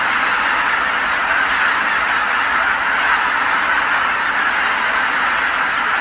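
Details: Geese calling all at once as they fly back to Kabukuri-numa marsh at nightfall from their feeding grounds; a constant roar of many overlapping honks, slightly softer and more blended, with no single voice standing out.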